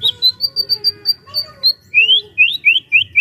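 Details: White-rumped shama, a captive bird kept as a trainer to make other shamas sing, giving a varied song: a run of clear whistled notes near one pitch, then a fast series of rising slurred whistles.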